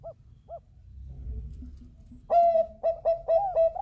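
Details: Bangkok zebra dove in energetic song meant to set other birds singing: two soft arched coos, a quiet pause, then loud flat sustained notes broken into a rapid stuttering series.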